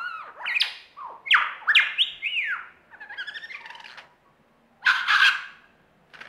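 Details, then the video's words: Lyrebird mimicry performance with a rapid, varied string of loud whistled notes, some swooping down and others rising. A softer chattering passage follows, then a brief pause and a burst of harsh, noisy notes. "Lyrebird performance"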